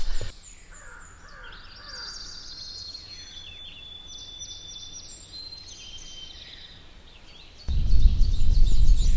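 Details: Bobolink singing in hay fields and meadows of Sax-Zim Bog, 24 May 2020, hazy morning: a bubbly, tinkling jumble of high metallic notes running for several seconds, over low wind rumble that ends in a loud burst of noise.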